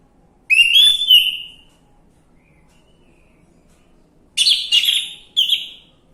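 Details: Orange-headed thrush used as a lure recording to prompt a silent bird to sing: a clear whistled phrase with slurred notes, a pause, then a second burst of rich warbled notes near the end.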